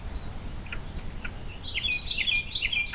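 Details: Unattended bald eagle nestlings, on a live nest camera at Little Miami Conservancy in May 2023 with no food brought all day, break into a quick series of sharp high squeaky chips against low wind noise.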